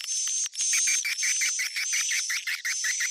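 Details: Edible-nest swiftlet lure call in the 'Sp Tarik Onar' style, played to attract swiftlets: rapid twittering chirps repeated about twice a second over a steady, high, thin whistled tone.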